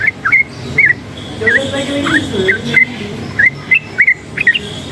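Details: Yellow-vented bulbul, a forest-type bird worked up by noise, utters scattered chirpy whistled phrases with pauses, while lower murmuring sounds run through the middle.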